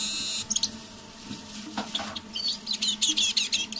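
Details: A kept decoy Eurasian siskin gives quiet evening song. A brief loud hiss opens, then scattered thin twitters build into quick high chirping phrases, over a steady background hum.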